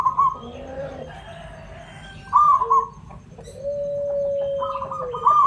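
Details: Zebra dove of local Javanese stock, song meant for luring other birds: short rolling coo phrases at the start and end, with a long, steady, lower whistled tone held in between.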